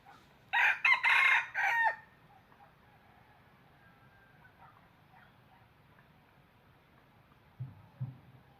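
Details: Single crow from a decoy red junglefowl used in trapping: a hoarse four-part burst lasting about a second and a half, followed by long near-silence and a few faint low sounds near the end.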